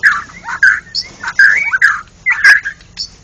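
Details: Loud, clear whistled phrases from a national champion white-rumped shama in ngeplong gacor style, delivered in short bursts about every half second with brief gaps between, against a quiet background.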